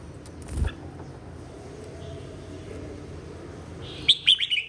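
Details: Red-whiskered bulbul in competitive singing, 2023: a click early on, quiet whistling, then a loud rapid phrase of four or five bright, rolling notes at the end.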